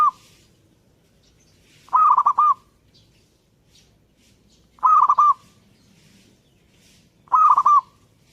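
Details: Zebra dove singing vigorously: a bright stepped cooing phrase of quick notes, about half a second long, repeated three times roughly every two and a half seconds over a quiet background.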